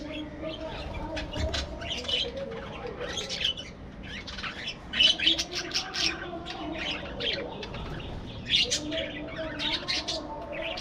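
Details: Aviary budgerigars chattering continuously: squeaky chirps and scratchy warbles, louder surges around the middle and near the end, possibly with some wing flutters, against a low background drone.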